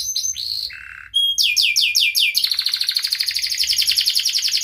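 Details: Canary singing sharp 'cuit cuit' phrases for lazy, mute canaries: a low buzzy note, a thin whistle, a run of descending chirps, then a fast, steady rolling trill.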